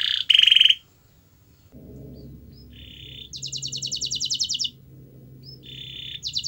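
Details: Canary song intended to stimulate a silent canary: short bursts of buzzy and pulsed trills separated by pauses, with a low background hum in the middle section.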